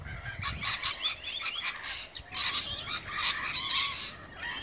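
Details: Several rainbow lorikeets feeding before cockatoos arrive, giving shrill, screechy, overlapping chatter in dense bursts throughout, harsh rasping notes rising and falling with brief pauses between flurries.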